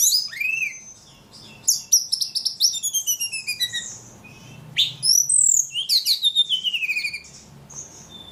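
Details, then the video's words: Prolific singing ledekan: a descending whistle, then bursts of rapid chattering notes and long downward-sliding trills, repeated in several quick rhythmic runs. "Burung ledekan paling gacor"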